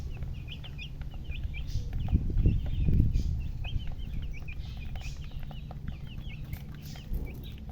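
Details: Baby chicks chirping rapidly with high, downslurred peeps running through the whole stretch, while dull low thumps and rumbling swell briefly near the middle beneath them.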